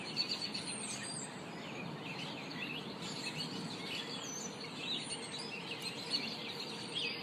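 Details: Birds singing in a home yard in the afternoon: several thin, high chirps and warbling phrases overlap in a busy chorus, partly masked by a steady broad hiss and low rumble.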